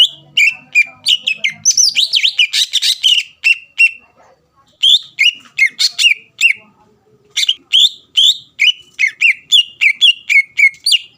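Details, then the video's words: Greater green leafbird singing a lure song to provoke rival birds to reply: bright whistled notes sliding downward, delivered in fast runs with short pauses, some richer chattering phrases near the start. "PANCINGAN CUCAK IJO GACOR MEMANCING EMOSI LAWAN LANGSUNG NYAUT"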